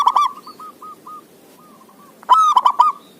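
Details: Perkutut song from a zebra dove, used to prompt lazy doves to call: a series of soft, clipped hooked notes ending a phrase, a short gap, then a strong rasping multi-part coo.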